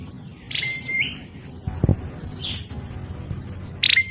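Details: Prinia giving an unusual, strange-sounding call: high thin notes slurring downward in quick pairs, a steady flat mid-pitched whistle, and a brief buzzy burst near the end, over low rumbling background noise and a dull thump.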